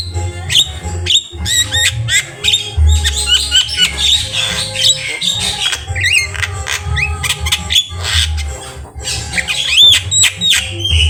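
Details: Javan myna, a very vocal singer with a rich varied song, recorded for training other birds: loud, dense bursts of sharp whistles, squawks and rising chirps crowd together over a steady low hum throughout.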